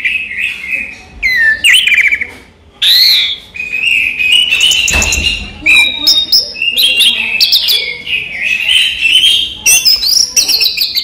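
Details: Orange-headed thrush from a songbird collection singing by day: bursts of varied whistles, rattling trills and abrupt sharp notes over eleven seconds, with short silent breaks between phrases.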